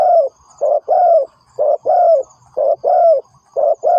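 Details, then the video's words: Spotted dove lure call for bird trapping: steady, mellow low coos, each pair a short clipped note followed by a sustained rounded one, evenly spaced about once per second, faint high-pitched ringing in the distance. "The Sound Of Spotted Dove is good,Bẫy cu gáy bằng mồi trồn,เสียงนกเขาใหญ่,Suara Terkukur Pikat Tua 2"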